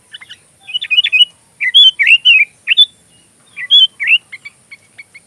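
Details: Sooty-headed bulbul singing repeated bursts of cheerful, bubbly whistled notes, some sliding up, others warbling, with short gaps between groups and a few soft chirps at the end. Recording intended as training song for magpie robins.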